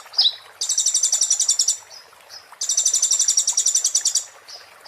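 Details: Konin white-eye in 'muntah beling' song style, used as master material for magpie-robins: a sharp downslurred chip, then two harsh rapid trills of about a second each, with soft chirps between.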